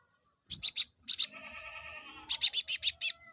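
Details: High, rapid chirping from an olive-backed sunbird, played to bring males into breeding condition. A short run of stuttered notes is interrupted by a lower, buzzy, harmonic tone, then a faster series of about eight sharp chirps.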